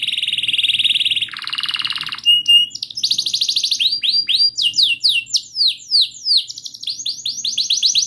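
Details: Canary singing continuously as a lure for a non-singing or learning canary: a steady high trill, then a lower buzzy roll, clipped notes, and a long series of loud, rhythmic downward-sliding whistles.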